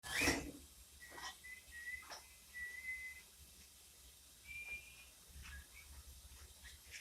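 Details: Cockatiel having fun, giving short, clear whistled notes at a fairly steady pitch. Some notes are flat and a few rise slightly, spaced roughly a second apart. A loud rustling knock opens the recording in a quiet room.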